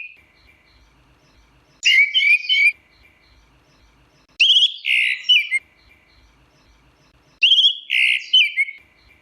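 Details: Orange-headed thrush performing teler-style song, three dense, scratchy warbled phrases about every three seconds, each mixing twittering and whistled notes, with quiet gaps between.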